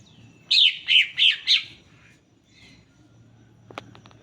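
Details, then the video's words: Greater green leafbird song played to coax other leafbirds into song: four evenly spaced, loud, high slurred whistles about every third of a second, then a soft note and faint clicks. "Pancingan cucak hijau agar bunyi"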